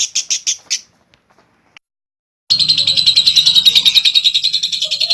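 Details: Lovebird ngekek, a long clear chattering song used to prompt other lovebirds to sing long. A few separate harsh pulses, a pause, then rapid continuous chatter at about three notes per second.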